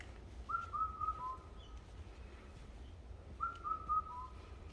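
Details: Mountain birdsong: a whistled phrase of four stepped, slightly falling notes, repeated after a pause of nearly three seconds, steady low background hum beneath.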